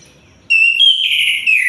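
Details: Sunda white-eye singing day and night: a bright high whistled phrase, a steady note stepping up then sliding slightly lower, sustained for over a second.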